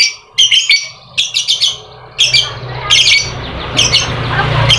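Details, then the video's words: Lovebird used as a singing lure for reluctant birds: loud, harsh squawking bursts in short clusters separated by brief gaps, with a faint low rumble underneath. "Pancingan Lovebird Malas Bunyi, suara burung lovebird bikin emosi lakbet lain"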